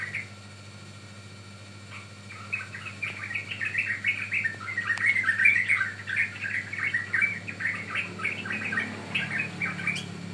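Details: Yellow-vented bulbul singing for luring and training birds; after a quiet start, a long rapid stream of jumbled, bubbly warbled notes, with a faint hum underneath.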